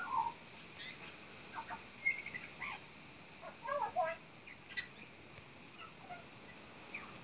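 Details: Magpie mimicking horse and parrot sounds: scattered, varied notes of short warbles, squeaky chirps and a low gurgling burst over a steady background hiss.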